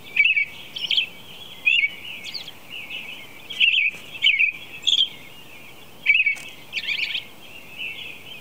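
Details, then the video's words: At 4:00 a.m. an American robin sings a run of caroling phrases, short rising-and-falling notes grouped in pairs and threes roughly every second, with a high squeaky note now and then and low background hiss. "American Robin Song"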